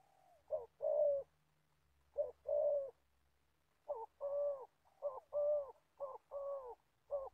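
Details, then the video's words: Seasoned spotted dove decoy for trapping, Gia Lai, with two widely spaced short-long coos, then a quicker run of paired coos; a faint low hum runs underneath. "Bẩy cu gáy. Clip 65.. mồi già bắt bổi thổ tốt tiếng"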